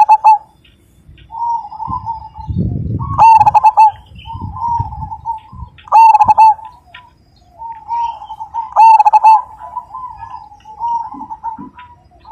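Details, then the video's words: Majapahit-strain zebra dove with a big voice and a 'super kung' ending. Four loud bursts of rapid, stuttering coos come about every three seconds, separated by softer wavering coos, with a low rumble early on. "Perkutut Majapahit Gacor Dan Ganteng, Suara Besar,Super Kung"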